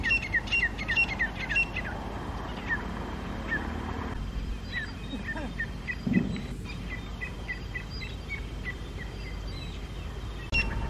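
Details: Early-morning territorial clash between two wild grey francolin groups on rocks, October 2022: bursts of shrill repeated whistles at the start, a quieter stretch, then another rapid run of high notes, with background hiss and a low thump.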